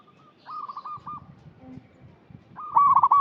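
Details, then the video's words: Zebra dove lure voice: a soft stuttered coo, a pause with faint low noise, then a loud bright rolling trill at the end. "Perkutut lokal gacor suara cocok untuk pancingan yang masih bahan"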